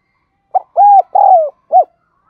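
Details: Spotted dove used as a lure bird, cooing: a quick soft note, two long hollow coos with the second dropping in pitch, and a short closing note, in near silence.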